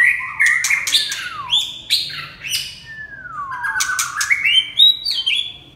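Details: Red-whiskered bulbul song of fluty whistled phrases with long sliding downslurs and rising glides, broken by sharp harsh clicks between phrases.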